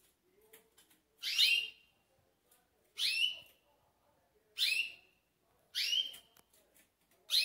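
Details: A caged green pintagol (siskin × canary hybrid), recorded before sleeping, gives five bright, high whistled notes that sweep downward, each about half a second long, spaced every one to two seconds, over soft background noise.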